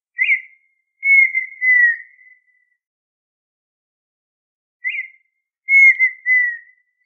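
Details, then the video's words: Red-winged tinamou song: two phrases, each a short sharp rising note followed after a brief pause by a long, clear, whistled note that slowly falls and fades, in an otherwise silent background. "Perdiz....lindo canto"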